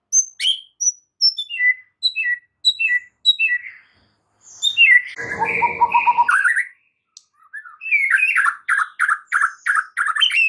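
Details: White-rumped shama lure song for bringing a stressed bird into wild singing: a series of spaced, stepwise-descending piping notes, then a harsh rattle, then a long run of rapid repeated notes.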